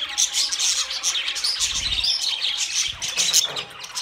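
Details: Budgerigars in full chatter, high squeaky chirps and short whistles crowding together, with a faint low thump partway through.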